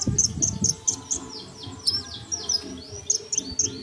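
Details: Sunbird song used as tutor recording for songbirds: rapid, very high thin chirps and descending sweeping notes in quick series over a steady low rumbling background.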